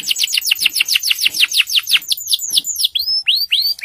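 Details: Loud, vigorous singing canary used to prompt other canaries that have gone silent to sing; a fast trill of clear, descending whistled sweeps, about six per second, slowing into spaced, looping rising-and-falling notes.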